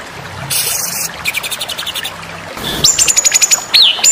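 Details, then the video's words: Contest-training masteran of the white-rumped shama: a burst of harsh noisy sound, rapid stuttering notes, then high clear whistles with a sudden downward slur and fast ticking trills. "masteran murai batu"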